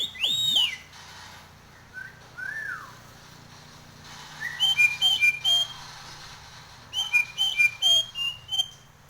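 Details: Nias hill myna in breeding condition, head-nodding, opens with a loud swooping whistle and a soft slurred note, then repeats bright short whistled phrases in rapid rhythmic runs.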